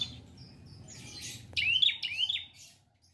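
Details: Prinia kept in a collection, giving a short burst of its two-beat song: a pair of quick rising whistled notes after soft rustling.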